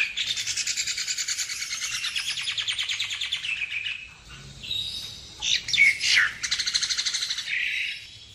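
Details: Asian pied starling calls, recorded for use as a bird-trapping lure: a long run of harsh, buzzy, rapidly repeated chattering notes, then louder squeaky whistles and a final burst of fast raspy chatter.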